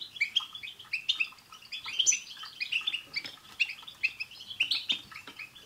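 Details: Goldfinch chorus (European goldfinch) to prompt singing in a pet; steady, softer stream of tinkling twitters and short trills, with faint background hiss.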